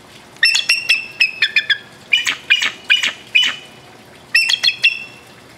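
A bald eagle gives thin, high, squeaky piping notes: a quick stuttering run, then a few longer squealing notes, then another fast chittering burst.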